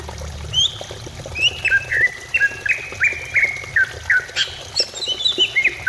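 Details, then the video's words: Song of a greater green leafbird, meant to prompt other birds to sing: quick repeated sliding whistles around two kilohertz, roughly three per second, then higher twittering notes, with a low rumble early on. "Pancingan cucak ijo supaya cepat bunyi"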